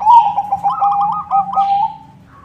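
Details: A white zebra dove in full song, used to lure other zebra doves, gives a fast, bubbling string of rolling coos that trails off into a long level note. A faint low hum runs underneath.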